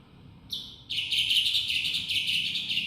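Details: Black-winged myna, a protected bird, in full song: loud, harsh, buzzy high chatter, a short burst then a continuous rasping stream with fluctuating intensity.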